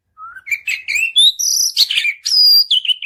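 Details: Oriental magpie-robin (kacer) pouring out long, unbroken song as a stimulus for other birds. Dense, varied warbling starts from a low rising whistle and climbs into high sweet whistles and rapid chirps.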